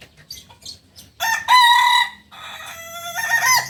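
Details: Kukuak Balenggek rooster from Solok, West Sumatra, giving a loud, harmonic crow. A strong held first phrase, a brief dip, then a long, wavering, gradually rising continuation to the end.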